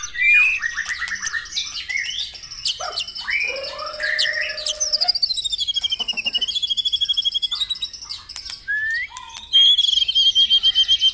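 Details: Morning dew-exposure recording of white-rumped shama song, played to push caged birds to sing: a long varied medley of whistled slides, lower mellow notes, a fast steady chatter, then sharp high repeated notes.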